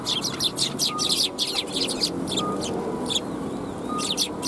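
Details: Sparrows at a Tenmangu shrine, 9 December 2021: a quick burst of high chirps, then sparse single notes, with faint steady tones and low ambient noise.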